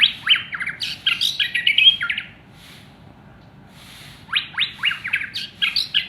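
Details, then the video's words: Champion white-rumped shama in a cage delivering loud, fast strings of whistled notes and downward slurs, pausing about two seconds, then resuming with rapid rising sweeps. "Burung Murai Batu Juara‼️Volume Kencang Dan Pedas‼️"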